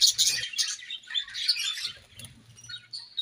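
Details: Playing budgies chirp in a rapid, scratchy high chatter that is loud at first, then fades to scattered chirps and a few clearer whistled notes, with soft low rustling underneath.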